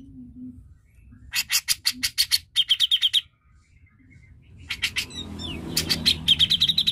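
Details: Grey-cheeked bulbul song used as a lure to stir reluctant birds into singing: two bursts of rapid, harsh, chattering notes repeated several times a second, with a quiet gap between them and a low background hum.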